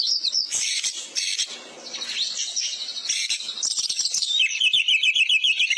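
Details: Oriental magpie-robin in full song, used as tutor material: loud bursts of high scratchy notes and whistles, a brief quieter dip, then a quick trill of repeated notes rising and falling.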